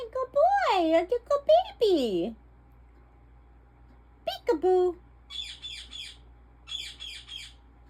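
An African ringneck parakeet talks in a high, nasal, wavering voice with sweeping speech-like phrases, then gives a few quick, scratchy chirps in a quiet room.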